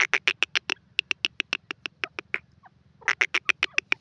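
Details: Grey francolin, called Sindhi teetar or Dakhni teetar, giving a loud, clear call: rapid harsh clicking notes in a fast series, a pause near two and a half seconds, then another burst of sharp pulses.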